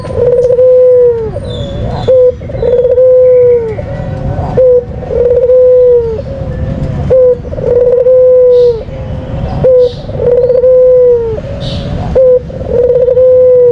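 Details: Lure call of a white dove, a kept bird of the Columbidae family, repeating a drawn-out, level coo that falls away at the end, each followed by a brief clipped note, roughly every two and a half seconds.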